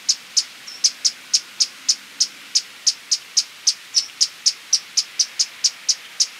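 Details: Rapid, high, dry chips from a Violet-crowned woodnymph, around four per second and slightly irregular, with a few softer notes between them and a quiet background.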